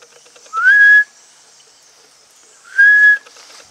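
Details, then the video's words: Red-necked amazon, or jaco, at a parrot conservation and research centre in Dominica: two loud, rising whistled calls about two seconds apart, each sliding up and then levelling off, over quiet background hiss. "dominica jaco parrot. " amazona arausica "."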